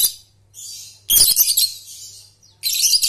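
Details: Ngekek trill of a lovebird, played to train young birds. Dense, harsh, high-pitched chattering comes in two long bursts with a quieter squeaky stretch between them, over a constant low hum.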